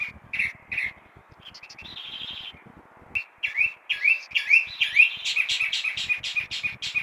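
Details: Chalk-browed mockingbird singing at 6 in the morning: varied phrases of rich, slurred whistles and chirps, some notes repeated in quick pairs, a brief buzzy trill, then a rapid run of rising and falling whistled notes.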